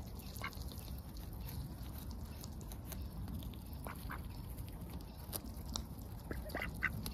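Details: Ducks going about their daily routine on a heavily overcast day, heard close up: short, scattered nasal calls at irregular intervals over a steady low rumble of background noise.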